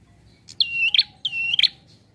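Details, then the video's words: Prinia singing a relaxed song used as a lure for bird trapping: two loud phrases, each a sharp high note sliding down into a steady whistle and ending in a bright chip, over a faint low background murmur. "Prenjak Bunyi Santaii Untuk Pancingan & Pikat"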